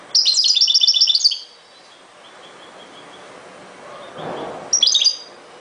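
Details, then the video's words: European goldfinch singing: a rapid, tinkling, buzzy twitter of high notes lasting over a second, a quiet pause, then a shorter burst near the end. "chant de chardonneret"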